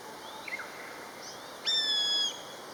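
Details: Common buzzard calling while its mate answers: a few soft short notes early, then one loud, clear, mewing whistle of about two-thirds of a second, steady before dropping at the end.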